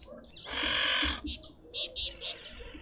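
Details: Red-winged starling feeding at a feeder in a suburban garden in Pretoria, South Africa: a rough, buzzy drawn-out call followed by several short bright chirps, set against a low steady hum.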